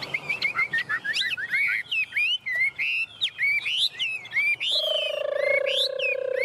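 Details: Hand-held tame Chinese hwamei in lively song, a fast jumble of varied slurred whistles jumping between pitches, followed near the end by a steady, lower, humming tone.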